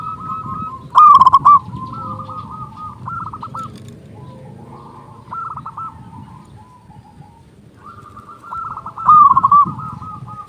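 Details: Local Zebra dove with a loud voice, used to lure doves and stir them into song: two brief loud bursts of quick staccato coos, around one and nine seconds, above a continuous soft cooing chorus of other doves.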